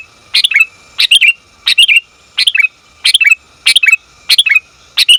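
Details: Female sooty-headed bulbul calling for the male, used to lure and train bulbuls; eight evenly paced chirping bursts about two-thirds of a second apart, each a quick bright flurry dropping at the end, silent background.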